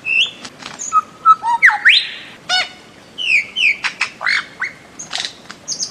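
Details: Bird-of-paradise producing a varied jumble of squawks, whistled slurs, a buzzy rising note and clicking sounds, loud and irregular.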